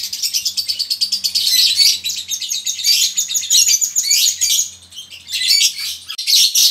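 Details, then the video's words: Male and female konslet lovebirds chattering together in a colony, ngekek style, to trigger other lovebirds to sing: rapid, high squeaky trills and chirps in long runs with brief lulls, faint low hum beneath. "pancingan lb konslet ngekek,lb betina konslet & lb jantan konslet bahan ngekek koloni"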